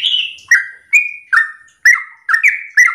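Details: Morning song of a sooty-headed bulbul, played to provoke other birds into singing: clear whistled notes, some gliding, some level, given in a quick uneven string of about seven notes.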